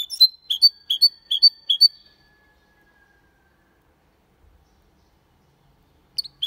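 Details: Clean Malaga-style song by a hybrid goldfinch crossed with a canary, recorded in 2022: five or six evenly spaced high chirps with a drawn-out thin whistle, then a long silence and a faint restart.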